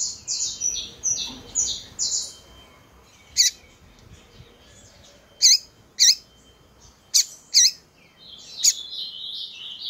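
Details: Double-collared seedeater female, locally coleiro, calling to excite males. Four quick high chirps open, then loud sharp swooping 'tsew' notes ring out singly and in pairs over quiet gaps, ending in soft twitter.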